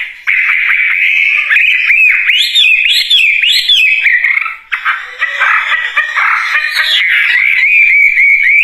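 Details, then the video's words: Wambie bird singing vigorously: a continuous stream of clear whistled notes with quick rising and falling warbles, looping trills and brief buzzy bursts midway, loud throughout with a short dip around the middle. "Kicauan Burung Wambie Gacor Dorr"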